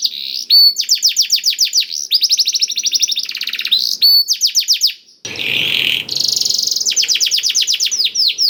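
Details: Blackthroat-tutored canary delivering fast bursts of crisp, repeated whistled notes and dense trills, broken by brief pauses; a rough, hissing passage appears midway before the rapid trilling resumes.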